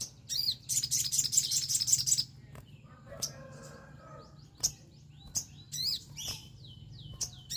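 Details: Lure recording of an untrained Orange-headed thrush, meant to stir singing. It opens with a fast burst of high, sharp twittering notes, then scattered short chirps over a constant low background hum.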